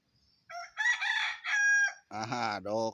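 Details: Bantam rooster crowing while practising for a gold-cup crowing contest: a harsh, strained crow with a rising, broken opening and a long buzzy middle, ending in a lower, drawn-out final note.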